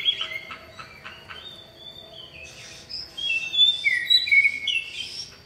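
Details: Male common iora calling a female: faint high whistles and chips at first, then a louder run of sliding whistled notes and bright chirps that rise and fall over the last seconds.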